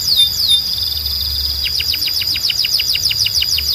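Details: Belgian canary singing to get other canaries singing: a long sustained high whistle, then a fast run of quick falling notes layered over it, steady and bright.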